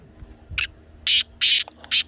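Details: Black francolin (kala teetar), a recording meant to stir a pet francolin into calling: four harsh, grating, broadband notes, the first short and the next three longer, spaced about half a second apart over a quiet background.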